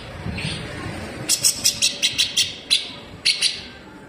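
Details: Grey-cheeked bulbul (cucak jenggot), a cage bird in full 'besetan' song, harsh and sharp, used as a model for training greater green leafbirds: a rapid run of sharp, high, buzzy notes after a low rumbling start, then two more bursts.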